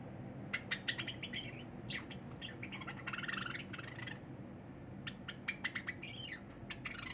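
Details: Cinnamon Java sparrow kept as a pet sings on 23 January 2021 while a silver bird feeds: clusters of clicks, a warbling phrase about halfway through, then a quick run of clicking notes, with faint room hum.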